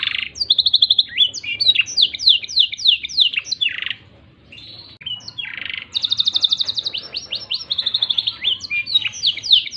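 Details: A Black-throated canary sings as filler song for tutoring canaries: a fast, varied stream of high chirps, trills and slurred notes, with a short pause midway before the song resumes.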